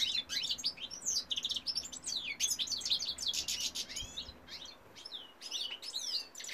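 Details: Male European goldfinch singing, 2018: a long, rollicking sequence of rapid tinkling and slurred chirps, dense at first, later broken into spaced bursts of bright twittering.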